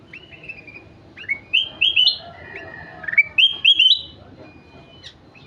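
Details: Kutilang emas singing vigorously, with loud clear whistled notes sliding up and down in quick linked phrases and short chirps between them.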